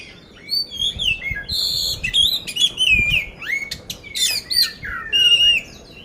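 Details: Poci oriental magpie-robin (kacer) from Magelang, Central Java, Indonesia, singing constantly with a harsh 'isian kasar' fill-in, said to be ready for competition: loud varied whistled phrases, rising and falling slurs and sharp chirps in bursts, with faint low room noise.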